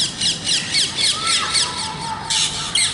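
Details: Harsh, grating parrot squawks in quick succession with a thin tonal whistle drifting faintly underneath; several birds seem to overlap.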